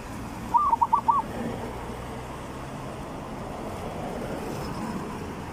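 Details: Zebra dove song in the three-rhythm style, used as a lure for decoy training: a short burst of four quick, soft, evenly spaced coo notes near the start, then only a steady low rumble and hiss.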